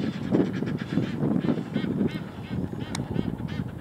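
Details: Egyptian geese at Kingfishers Bridge, Cambridgeshire, UK, on 28 March 2017, mobbing a marsh harrier alongside lapwings, some on the ground: harsh, hoarse honking calls overlapping in a rapid, excited chorus of several birds over faint wind and background noise.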